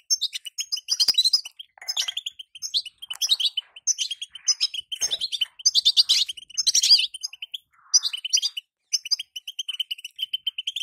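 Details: Caged female European goldfinch giving calls meant to push a male in moult into singing; dense bursts of bright, high twittering notes and rapid chips, continuing in quick runs throughout.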